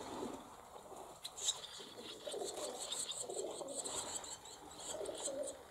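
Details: Brood of barn swallows in a cowshed, 28 July 2024: sharp high chirps over a murmur of softer, lower chatter and rustling from the nest.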